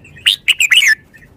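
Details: One crisp red-whiskered bulbul phrase: a rapid run of four bright, bubbly notes ending in a slurred downward whistle.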